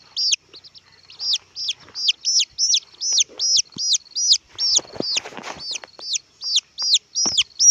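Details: Red junglefowl chick repeating high, downward-sliding whistled peeps about every half second, with soft clicks and rustling handling noises in the middle of the series.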